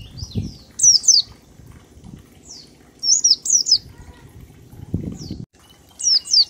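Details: Oriental white-eye song meant as a lure for other birds, given as high, thin, falling double notes in spaced bursts over low thumps and handling noise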